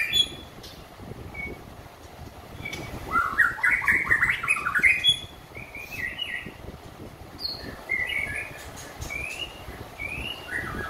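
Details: White-rumped shama singing after a full moult: a quick cascade of tumbling whistled notes, then scattered short upslurred whistles and higher chips spaced through the phrase, over faint background noise.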